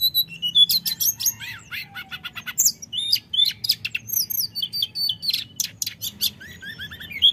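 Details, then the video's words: Lure song of a common iora, rolling and flute-like, used to make rivals agitated: a long, busy stream of high twittering chirps, short slurs and trills with almost no pauses. "Pancingan tledekan nyuling ngeroll bikin lawan emosi"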